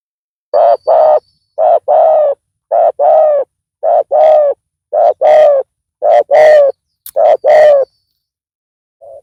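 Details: Loud-voiced spotted dove decoy luring a rival: a steady series of eight paired coos, each a short note then a longer buzzy one, repeated roughly every second.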